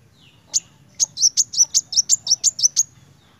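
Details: Sunbird known locally as kolibri wulung, in energetic 'gacor narung' song: one opening chirp, a pause, then a fast series of a dozen piercing high notes, evenly spaced, ending abruptly; soft low rumble underneath.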